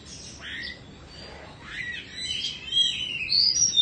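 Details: Caged Indonesian Oriental magpie-robin, two moults old, giving soft rising swept whistles that grow louder toward the end, ending in sharper high notes, with quiet background hiss.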